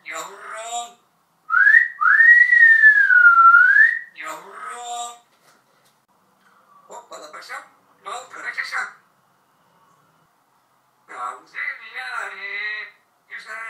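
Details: Talking pet parrot, two years with its owner and knowing about 80 words, in Turkish, saying phrases like "sebebi hayatım", "yavrum" and "güzel yarim": short, slightly nasal word bursts and one long, clear swooping whistle, then quieter speech-like phrases.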